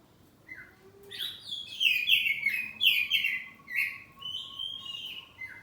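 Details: Caged kacer poci, an oriental magpie-robin kept at home, singing in the loud ngeplong manner with answering phrases. A rapid run of rich whistled, downward-slurred notes, about three per second, with a faint steady tone beneath.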